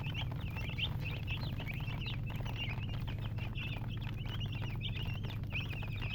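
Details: Baby chickens giving a constant chorus of high, wavering peeps, closely packed and overlapping, over a continuous low hum.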